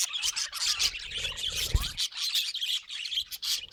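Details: Busy budgerigar chatter, overlapping chirps and scratchy warbles from several birds, with a brief low knock.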